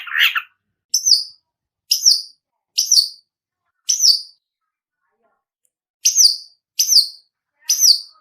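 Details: Long-tailed shrike practising chick sounds (piyikan): one low, rough note, then short, high, downslurred chirps repeated roughly once a second, with a pause of about two seconds in the middle.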